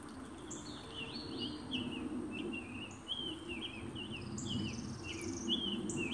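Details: Summer tanager singing in Alabama: a continuous run of short, slurred, rolling phrases at mid-high pitch, each rising and falling, delivered in an unbroken warbling string, with a faint higher bird and low rumble behind.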